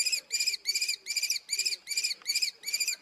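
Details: Rapid, insistent run of about eight harsh, ringing notes from a common kestrel, each note slightly drawn out.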